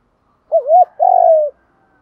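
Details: One full coo phrase of a spotted dove for stimulating decoy birds: a quick undulating note, a brief gap, then a long mellow coo dropping slightly in pitch.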